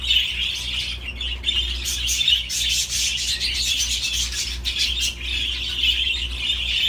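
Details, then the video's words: Continuous budgerigar chatter: raspy squawks and twittering chirps blended into an unbroken warble, with short dips, above a faint low hum. "تغريد طيور الحب االبادجي"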